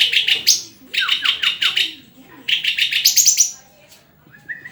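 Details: {'caption': 'Shama song of fast, descending, slurred chips in dense runs, a sharper high rattle later, ending with a brief soft whistled note.'}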